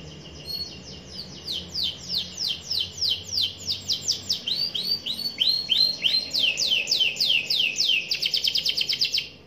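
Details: Young canary in rolling 'gacor ngerol' song: a long steady run of quick descending whistles, some lower swooping notes midway, finishing in a dense high buzzy trill, with soft background noise.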